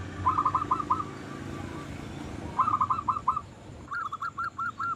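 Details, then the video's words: Local zebra dove singing to stimulate other zebra doves: three short phrases of four to six quick burred coos, spaced about two seconds apart, over steady background hiss and low rumble. "Perkutut Lokal Gacor Suara Paling Ampuh Untuk Pancingan Burung Perkutut Agar Bunyi"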